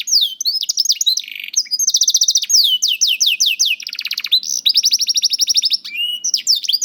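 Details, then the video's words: Canary youngster's song used as a singing prompt, varied tours of quick repeated notes, whistled downward sweeps and a low rolling trill, delivered almost without pause. "PANCINGAN KENARI PAUD TERBUKTI AMPUH MEMANCING KENARI SUSAH BUNYI IKUT GACOR"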